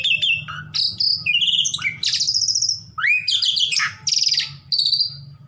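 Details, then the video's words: Asian pied starling singing to goad rivals into answering. It gives mixed phrases of piping whistles, falling slurs, harsh buzzy bursts and rising sweeps in quick succession, while a faint low drone runs underneath. "COBA PUTAR DIJAMIN JALAK SUREN LAWAN EMOSI"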